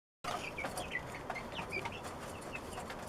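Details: One-month-old chicks eating dinner alongside their father, giving short high peeps scattered through the clip over a steady background hiss.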